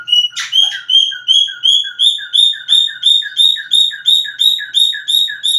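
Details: Cockatiel whistling a fast, regular series of short upslurred notes, nearly three per second. Each note is clear and ringing and is paired with a lower echoing tone. The series opens with one harsh squawk.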